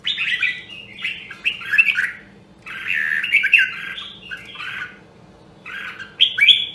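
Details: Red-whiskered bulbul, a rare Nam Đông Huế voice line used for voice training: tumbling, slightly harsh warbled phrases in long runs, then a pause and a final bright burst.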